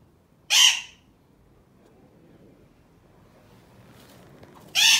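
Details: Pet Alexandrine parakeet, a male, kept with other parrots, making assorted sounds; two loud harsh squawks, one early and one at the end, separated by quiet room noise.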